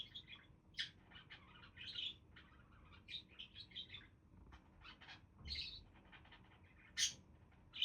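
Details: Budgies keep up busy, irregular chatter of rapid chirps, squeaks and warbled notes, with sharper louder calls standing out near the start and end over a quiet low hum.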